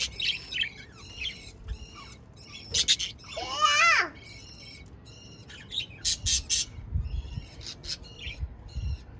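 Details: Budgerigars chirping: a busy run of short, high, stacked chirps and warbles, with a louder wavering warbled phrase near the middle and several sharp bursts toward the end.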